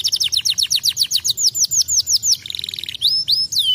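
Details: Canary delivering a string of rapid downward-swooping notes, a short buzzy trill, then a few long upward and downward slurred whistles.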